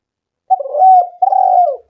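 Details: Spotted dove coo as a lure to get doves calling: two long, low, husky notes in quick succession, the second slightly falling at its end.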